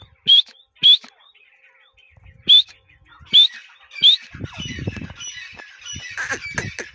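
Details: Grey partridge calling in breeding season: five separate sharp, rising squawky notes spaced irregularly, then a stretch of rustling and mixed outdoor noise.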